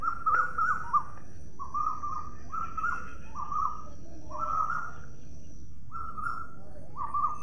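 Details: Pet Indian ringneck parakeet being fed indoors, giving a series of short, mid-pitched, buzzy calls repeated about every half second, with a brief pause midway; a person coaxes it to eat just before.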